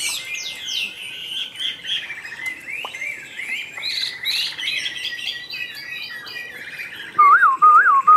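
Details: Caged Chinese hwamei of the Tam Hoàng form delivering a rich run of high, twisting whistles and quick rolling phrases. Near the end a louder, clear wavering whistle rises and falls twice, cutting across the song.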